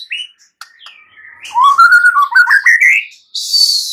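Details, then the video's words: White-rumped shama singing vigorously in fighter style to coax a mute shama into replying: soft scattered notes build into loud rippling, warbled whistles that climb steadily, followed by a burst of harsh hiss. "Murai batu BISU diJAMIN NYAUT GACOR dan FIGHTER"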